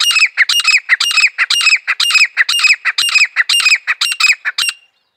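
A grey francolin gives loud, harsh, ringing squawks, about two per second for five seconds, with no other sounds behind it.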